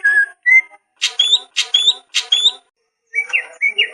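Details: Greater green leafbird song from a training recording for lazy or molting captive birds: clear whistled notes and short bursts of three loud rising phrases, then squeaky varied twitters with brief pauses.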